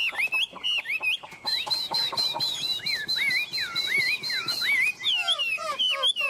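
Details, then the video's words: Spirited song from a tame caged Chinese hwamei: quick chattering notes over a thin high whistle, then a string of twisting, looping whistled phrases dropping in pitch. "Họa mi ôm cóng cực sung trên tay"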